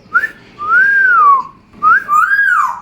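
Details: Pet African grey parrot kept indoors, whistling on request: two smooth whistled phrases, each a short rising note followed by a longer arching tone that falls away, with a brief pause between them and a quiet room behind.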